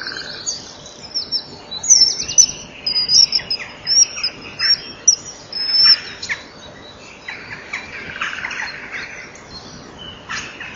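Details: Common kingfishers at their nest on an early April morning at 07:26, the female cleaning inside and pulling at cobweb, male and female taking turns; a run of thin, sharp high whistles over scratchy rustling from the nest chamber.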